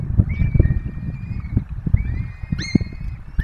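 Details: Peregrine falcons feeding four chicks at a nest in the Barycz Valley, recorded by webcam; long, thin, even wailing notes, one sliding upward into a brief harsher cry, with gusty wind throughout.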